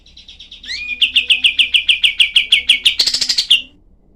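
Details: Cream-vented bulbul singing its harsh 'tembakan' volley, recorded as tutoring material for cage songbirds. Soft chips lead to an upslurred whistle, then a fast string of sharp, rasping notes, closing in a buzzy, tumbling flourish.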